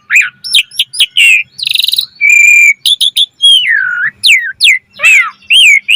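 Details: A jalak suren (Asian pied starling) singing busily in the gacor mompa manner with full variety: quick chips, a harsh buzzy note, a steady whistled tone, a drawn-out falling whistle, then warbled rising and falling slurs.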